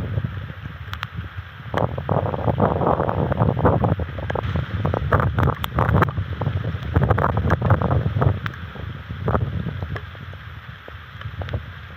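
Gusting wind buffeting an outdoor microphone near a bald eagle nest, with rustling and knocking from branches and no animal calls.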